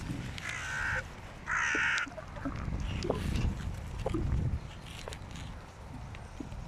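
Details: Hooded crows squabbling noisily over prey on the ground; two hoarse, harsh caws in the first two seconds, then scattered clicks, rustling and low rumbling background noise.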